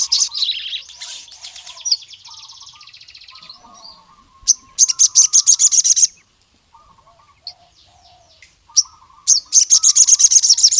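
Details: Sogon (Javan cuckoo-shrike) singing to call rival males: bursts of very high, rapid buzzy trills repeated in pulses, alternating with softer, lower warbled chattering notes and short pauses.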